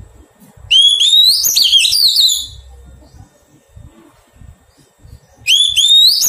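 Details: Newly caught Oriental magpie-robin in taming gives a long, loud phrase: a rising clear whistle flowing into rapid, looping warbles. After a quiet gap of about three seconds, a second rising phrase begins.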